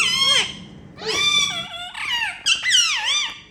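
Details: Indian ringneck parakeets kept as talking pets, sounding happy at playtime: continuous squeaky, nasal warbling that bends up and down, in a few connected phrases.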